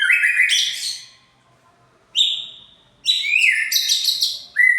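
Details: White-rumped shama song used as a lure to provoke a rival: loud, rich phrases mixing buzzy chatter with clear whistled notes, delivered in bursts about a second long separated by brief silences.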